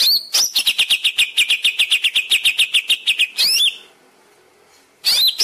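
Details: A greater green leafbird (Chloropsis sonnerati) sings a fast, even run of about five high chipping notes a second, then bursts of rising, whistled sweeps separated by a brief quiet gap, used as a training song.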